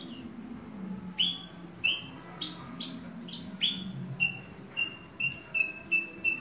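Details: Branjangan (Horsfield's bush lark) singing: a run of about a dozen short high notes, sweeping and clipped at first, then a steady series of brief piping chirps near the end.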